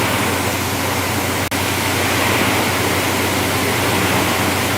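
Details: Loud, continuous roar like rushing water or wind fills the whole sunset safari recording, broken by one brief dropout.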